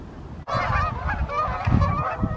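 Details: Canada geese flying in the evening, summer or fall 2020, giving loud nasal honks that start abruptly and overlap in a steady run over a low rumble.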